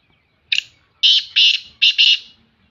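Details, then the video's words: Female black francolin calling in the morning: a short harsh note, then a run of loud, grating, buzzy notes, two of them paired closely, rising and falling over about two seconds in a quiet setting. "black Francolin Voice Kaly Teetarcalling Partridgevoice Morning time happy Mood Tetarvoice female"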